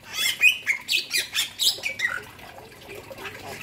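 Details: Bali myna, male and female named: a quick series of harsh, squawky notes with whistled accents, about seven pulses in two seconds, then fading to quiet background rustle.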